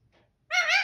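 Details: Pet parrot speaking the word "mithoo": one short, bright, harmonic utterance near the end after near silence, with a slightly rising tone.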